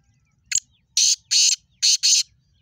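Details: Black francolin, known locally as kala teetar, in Sindh, Pakistan: one short click-like note, then four loud harsh grating notes in two pairs, each note about a quarter second, all within under two seconds.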